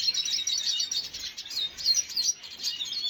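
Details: Red siskin chatter from 5 June 2022: quick high chirps blend into a continuous twittering mass, with a few brighter whistled notes standing out near the end.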